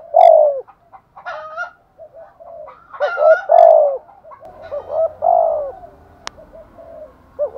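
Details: Spotted dove (chim cu gáy) giving its calling coo style known as thúc gù or gáy gọi: low, hollow coo phrases repeated in bursts with short pauses, some notes doubled, one sharp click near the end, otherwise a quiet background.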